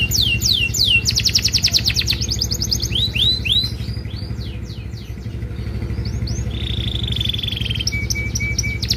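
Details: Canary in vigorous cengkok mewah song, used as a tutor for other canaries: rapid falling sweeps, fast chattering trills, and repeated slurred notes, then a buzzy flat note and short tones, all over a constant low engine-like drone.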